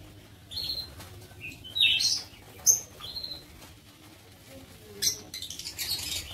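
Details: Shrill, piercing chirps from lovebirds in a breeding aviary come in scattered bursts, several sharp notes close together, then a rapid chattering run near the end.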